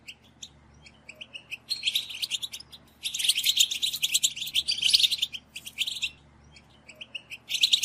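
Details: European goldfinches in a group chorus of twittering calls, played to stimulate males to sing: bursts of high, dense, scratchy twittering and chips, with a brief quiet gap between outbursts and the strongest stretch in the middle.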